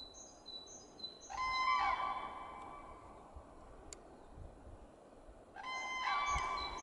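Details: Two drawn-out, brassy crane screams with layered overtones come about four seconds apart. Short, high, repeated bird chirps are heard at the start and again near the end, over constant outdoor noise.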